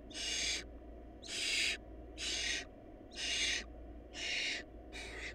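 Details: Hungry barn owl nestlings from a brood lacking food give six rasping, breathy screeches, each about half a second, repeated close to once per second above a constant low background hum.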